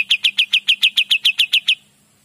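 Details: Kapas tembak in energetic gacor song, used as master material for magpie-robins: a rapid string of about twelve loud, clipped, high chip notes in even rhythm, ending abruptly into quiet.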